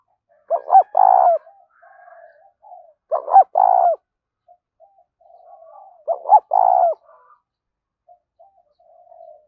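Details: Spotted dove coo for drawing birds in across a field: three phrases of two short upswept notes and a longer hollow coo, about every two and a half seconds, with soft murmuring between.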